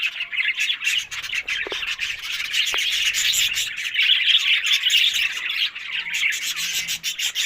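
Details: On October 1 a flock of budgerigars fills the air with nonstop twittering. Rapid chirps and buzzy warbles overlap in a dense, high chorus, with a faint low hum in places.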